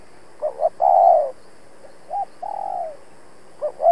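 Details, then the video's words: Spotted dove decoy calling to challenge rivals: two quick rising notes and a loud falling coo, a brief soft note, a longer gentle coo, then the phrase beginning again. "Cu Gáy Mồi Cây thúc gù đấu bổi cực sung"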